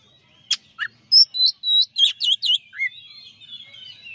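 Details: Champion white-rumped shama singing a master song, a quick run of clear whistled notes, upslurs and downslurs in rapid succession, then softer warbling, in an otherwise quiet setting.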